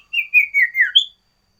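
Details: Loud, active sooty-headed bulbul song variation, a run of whistled notes stepping downward and then closing on one bright, higher whistle.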